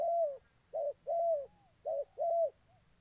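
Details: Decoy spotted dove in Gia Lai, Vietnam, kept for trapping wild doves, giving soft hollow coos: a long slurred note, then short-long pairs, low and mellow, over a faint constant high-pitched hum.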